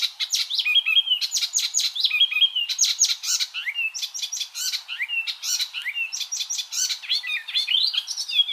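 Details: Icterine warbler singing a tutoring song for white-rumped shama and other cage birds: rapid, jumbled phrases of harsh chattering notes and bright whistled slurs, each motif repeated two or three times before switching.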